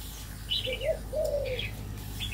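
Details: A male red-whiskered bulbul in an aviary gives a brief run of liquid, warbled notes, several short slurred phrases in quick succession over a steady low hum.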